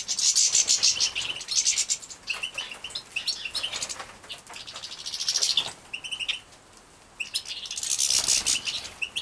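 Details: Young European goldfinches from a Polish breeding setup, 2017, at feeding. Short high chirps are interspersed with recurring bursts of shrill, buzzy begging chatter, roughly every two to three seconds.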